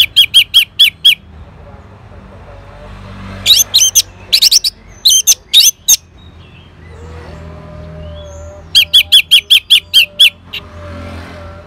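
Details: Orange-headed thrush from Singaraja, Bali, answering a lure sound: evenly spaced loud, high chirps in rapid runs of six to eight notes, repeated three times with quiet gaps between.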